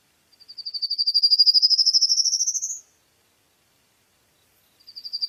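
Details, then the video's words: A long, evenly pulsed bird trill that rises steadily in pitch over about two and a half seconds, followed by silence and the start of another trill. "Birds singing"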